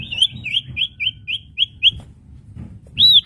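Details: Common iora song for training newly acquired birds: seven short, clear whistled notes spaced evenly, then a pause and one louder arching whistle.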